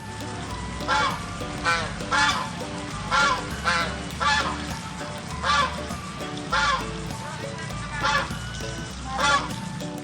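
A duck gives loud, harsh, nasal quacks, roughly one a second, over steady background music.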